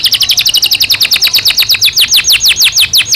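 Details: Breeding-season canary in a cage delivering loud, rapid repeated high chirps that slow slightly into evenly spaced falling notes, roughly three per second toward the end.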